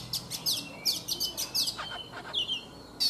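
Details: Caged Oriental magpie-robin, wild-caught as an adult and kept three seasons, singing in the morning: clear high chips and whistled notes, some gliding down, in quick bursts with short gaps.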